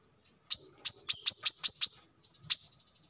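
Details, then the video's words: Brown-throated sunbird singing as a lure for other birds: a burst of sharp, very high chirps, a brief gap, then a quicker trill of thin notes. "kolibri kelapa | manggar | wiceh | tidak disangka burung receh segacor ini untuk pancingan |masteran"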